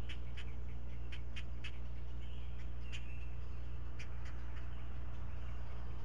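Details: Four great blue heron chicks at a Chesapeake nest-cam nest being fed breakfast, the parent regurgitating one fish at a time. Sharp clicking notes come about four a second in bursts, over a steady low electrical hum.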